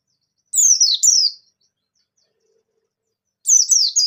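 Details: Two-note phrase of high, falling, whistled slurs from a bustomi white-eye, whose song is played to stir reluctant white-eyes into answering. After a silent gap of two seconds, a fresh burst of descending whistles begins.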